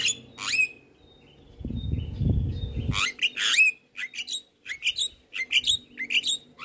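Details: Javan myna master recording of busy fill-in song for daily playback: a sharp downslurred note and short thin whistles, a low noisy rumble in the background, then quick clusters of harsh chattering squeaks.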